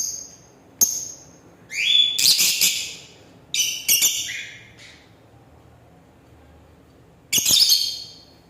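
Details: Lovebird singing and chirping: loud, harsh squawking bursts and sharp high chirps in short clusters separated by quiet gaps, with brief clicks between.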